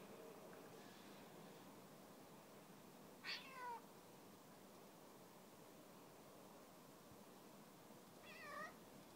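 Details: Eurasian jay in winter gives two cat-like mewing calls about five seconds apart, each a short, bright, falling meow over a steady hiss; meowing first softly, then a little annoyed, when not given another walnut.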